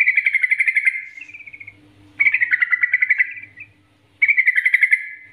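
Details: Yellow-vented bulbul master song used as a lure to make other birds sing: bright, bubbly chattering phrases about a second long, separated by short pauses, over a low steady hum.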